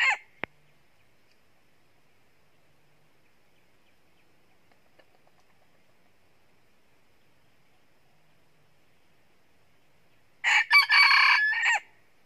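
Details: A wild red junglefowl rooster in a trapping setting, where two roosters crow loudly and then fight, gives one short, harsh crow of a few rapid broken syllables near the end; a brief clipped note and a click open a long quiet stretch.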